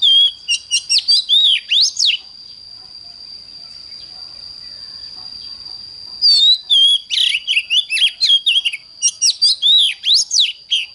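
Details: Oriental magpie-robin giving its intense morning song for training: a two-second burst of rapid, varied whistles, four seconds of near silence with only a steady high whine, then a longer flurry of fast, swooping notes.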